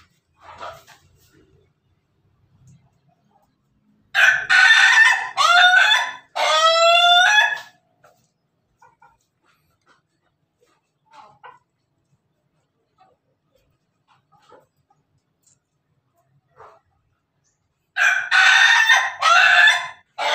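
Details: Ayam Ketawa rooster crowing in the morning: a long, loud, harsh crow broken into rapid stuttering segments with rising harmonic notes, lasting about three seconds, then quiet with faint clicks before a second stuttering crow near the end.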